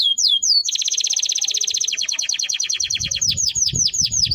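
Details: Singing Timbrado canary delivering a few quick swooping notes, then a dense high trill that slows into repeated downward-slurred syllables, loud and continuous throughout.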